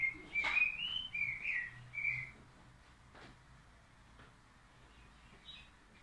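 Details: Crested lark opening with a quick series of whistled, wavering notes over about two seconds, then mostly quiet with faint hum and a soft closing note.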